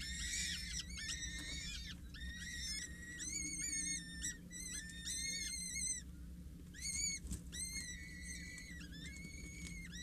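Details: Four 6-8-day-old Peregrine Falcon chicks at Scheveningen beg during feeding by a parent, 8 May: clusters of shrill, wavering squeals with short pauses between bursts, over a steady low drone.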